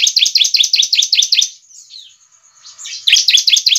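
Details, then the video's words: Lure song of a ciblek (bar-winged prinia), meant to draw replies from other ciblek: a fast, even run of bright, high chirps, a short gap with a thin whistled slur, then the rapid chirping resumes. "Suara Ciblek Gacor dijamin ciblek lain langsung nyaut"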